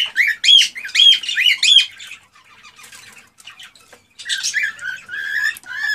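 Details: Male cockatiel's agitated breeding song meant to rouse a female to mate: a quick run of sharp warbled whistles, a quieter chattering stretch, then renewed scratchy, sliding notes.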